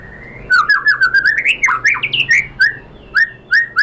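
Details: White-rumped shama singing, played as a lure to draw out answering song: a quick run of clear whistled notes climbing and dipping, then three spaced, slurred whistles about half a second apart.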